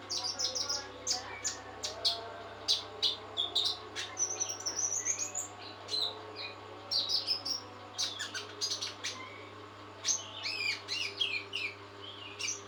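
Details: Trotol, a kept songbird, in full song while fed nectar: a busy run of sharp ticks, chirps and high whistled trills, delivered continuously over a steady low electrical hum.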